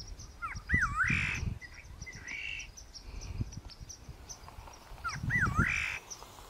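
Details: Great parrotbill near Ghoom, Darjeeling, India, in Senchal Wildlife Sanctuary: wavering whistled slurs run into a rasping, buzzy chatter, repeated after about four seconds, with a brief extra harsh note between and a low rumbling background.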